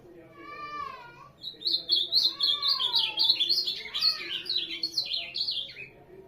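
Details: Ultramarine grosbeak (azulão) song: a fast run of bright, warbled whistled notes jumping up and down, about four per second, preceded by a few slow, lower, harmonic-rich slurred tones; faint indoor background hum.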